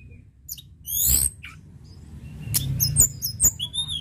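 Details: Sunda robin, actively singing, gives a loud rushing high note, then quick sharp chirps and clipped whistles in fast succession against a faint low rumble.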